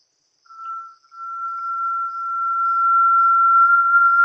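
A Brazilian Tinamou gives a brief pure whistle, then one long, steady, mellow whistle that swells slowly louder for about three seconds.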